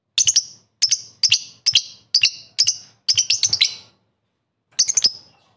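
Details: Lovebird calling rivals, rapid triple-noted shrill chirps repeated about twice a second in a steady run, a pause, then one more burst.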